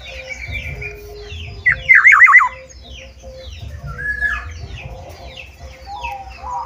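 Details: Black-naped oriole singing outside its cage: a loud burst of rapid, rolling notes, then a few fluty whistles, with faint chirps from other birds behind.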